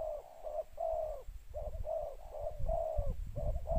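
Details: Spotted dove calling to lure wild doves, two-note style, a steady run of round, hollow coos, some longer and some clipped, partly masked by strong low rumbling noise.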